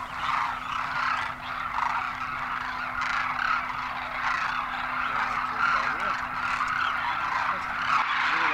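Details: Thousands of Demoiselle cranes (Koonj) arriving in winter at a Khichan water hole in Rajasthan, India; a continuous din of many throaty, rattling calls blends into one chorus, with a faint steady hum beneath.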